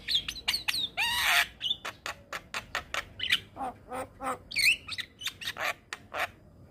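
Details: Javan myna song meant to tutor young mynas into full singing: rapid clicking chips mixed with harsh, raspy squawks and a few sliding whistles, delivered in a steady, busy stream.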